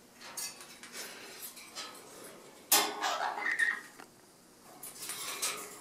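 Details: A crimson-rumped toucanet in a territorial display gives dry, clattering clicks in quick irregular bursts, then a louder rasping, croaky call midway through.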